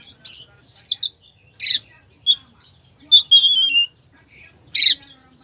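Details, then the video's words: An Oriental magpie-robin's 'isian' fill song, used to rouse a slow bird: sharp high whistled twitters, harsh scratchy squawks and a drawn-out descending whistle, delivered in uneven bursts against a nearly silent background. "Kacer full isian , cocok buat pancingan emosi Kacer lemot"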